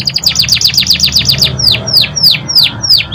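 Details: Canary master song for training, a rapid series of downslurred whistles about ten per second that slows into evenly spaced sweeping notes, over a low background hum.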